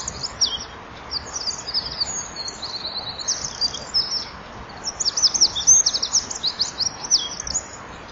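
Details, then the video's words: Eurasian wren singing at dusk at 17:33 on 23 January 2014 in winter, perched at a nesting-wall camera and flapping its wings while singing; two long bursts of rapid, high, trilling and tinkling notes, with a short pause between them. "WK zingt"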